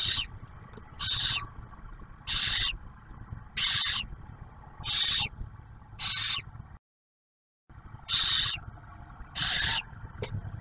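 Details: Rhythmic harsh hisses, roughly one per second with a brief silent break, at a barn owl nest in Ohio's Ottawa National Wildlife Refuge as the male brings food and the female shares a meal with the owlet.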